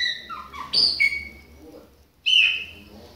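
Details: Chopi blackbird of the Bahia type, with a young bird mentioned. Two brief phrases of clear descending whistles and a sharp high note, separated by a near-silent gap.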